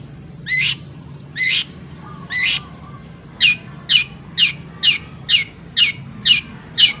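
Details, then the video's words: Tutor recording of a cendet with tengkek buto fill: three spaced harsh rasping notes, then a quicker regular series of about eight sharp calls, roughly two per second, over a faint low hum. "CENDET ISIAN TENGKEK BUTO SPEED RAPAT SAMBUNG GREJA SAMBUNG KUNTI"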